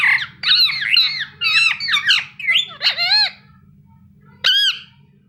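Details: Indian ringneck parakeet kept as a pet, chirping indoors: rapid run of harsh, squawky notes in quick succession for about three seconds, a pause, then one last loud squawk, with a faint low hum beneath.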